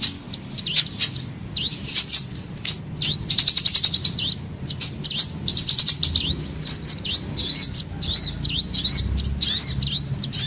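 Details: Sunbird lure calls used to attract birds: a fast, unbroken stream of thin, high, sharp chirps and twitters, with squeaky rising and falling notes tumbling over one another.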